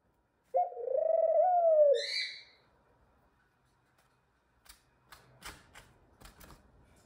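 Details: A young pet male ringneck dove reaching puberty gives one low, drawn-out coo lasting about a second and a half, followed by quiet clicks and taps.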